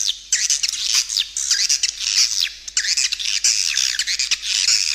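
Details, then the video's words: Lure recording of edible-nest swiftlets for attracting birds to feeding grounds and flight paths: busy high chirping with many quick downslurred and upslurred notes, overlapping in a steady crowded chorus. "Suara Panggil Burung Walet"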